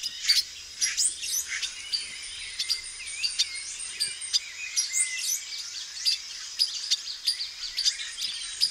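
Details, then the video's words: Male silver-beaked tanager (Ramphocelus carbo) in a backyard in Brazil, giving quick, bright chips and short whistled phrases in rapid succession, with a steady high insect hum behind. "PIPIRA-VERMELHA macho, (RAMPHOCELUS CARBO), SILVER-BEAKED TANAGER"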